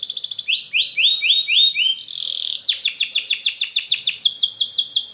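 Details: Canary training song: rapid high trill, a few slower swept notes, a buzzy burst, then a long, fast rolling trill of repeated notes.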